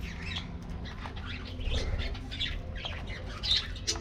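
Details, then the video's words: Aviary budgerigars during a morning treat: a scattered mix of high squeaky chirps and squawks from several birds, some wing flutters, and constant low background noise. "Routine Lifestyles Of Colorful Budgies Getting Morning Diet Treat"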